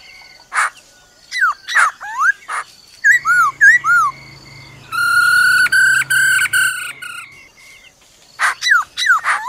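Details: Forest-style song of a black-throated laughingthrush with a female's trilling alongside: scattered sharp notes and downward swoops, paired curling whistles, then a long rich harmonic phrase of held notes before more quick chips.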